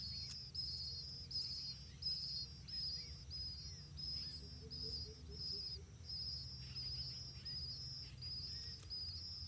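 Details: Blue-winged pitta fledglings near the nest, fed by both parents, give high, thin, buzzy begging notes in quick repeated bursts, over a low steady rumble and faint insect hum.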